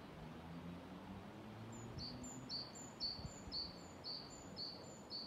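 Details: Song of a great tit, 28 February 2024, on the Ryggisspåret loop at Haga among many great tits: a clear run of paired high-then-lower whistled notes, roughly two per second, beginning after a quiet start, with low rumbling noise beneath.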